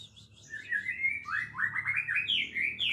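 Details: Oriental magpie-robin delivering a continuous warbled song of slurred whistles and buzzy phrases in a lower register, with a steady background hum.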